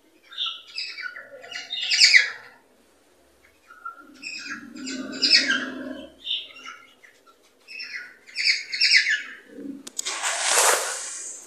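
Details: Cockatiel sound used to stimulate cockatiels to mate and breed: warbling in bursts of chirps, squawky whistles and chatter about every three seconds, ending in a harsh screech, with a lower throaty murmur underneath.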